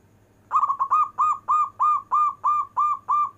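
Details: Local zebra dove of a fine singing type, recording meant for calling lazy zebra doves: a run of about ten rapid, rounded cooing notes near one pitch, each with a slight downward bend, quiet background hum.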